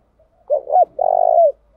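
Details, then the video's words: Decoy Spotted dove calling to provoke wild birds into cooing; a single phrase: two brief rounded notes, then a sustained, slightly quavering low coo lasting about half a second, otherwise quiet. "Tiếng chim cu gáy thúc bảo đảm bổi nghe gáy liền, chim cu gáy mồi đảo bài liên tục"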